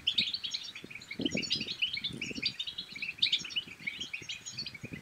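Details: European goldfinch singing to stimulate another goldfinch to sing and mate, continuous busy twittering with buzzy trills and bright chips, soft low thumping throughout.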